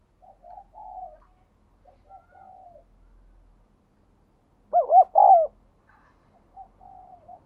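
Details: Captive spotted dove with a 'đồng kim' voice style, cooing often, played to spur newly caught birds to coo. Soft, low coo phrases early, a loud three-note burst near the middle, then quieter coos trail off.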